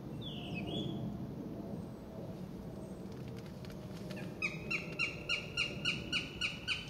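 A Northern Goshawk gives a fast, harsh, evenly spaced kek-kek-kek chatter, about three notes a second, after a single thin slurred note, over a low rumble and a steady high hiss.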